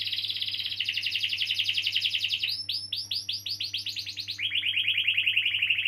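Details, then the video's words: Canary's extended rolling song, played to stimulate young canaries or those that stopped singing. A rapid buzzing trill runs into slower repeated upward sweeps, then a lower, very fast rolled trill, with a faint constant hum behind. "Kenari Gacor Ngeroll panjang || Pancingan Kenari paud atau macet bunyi"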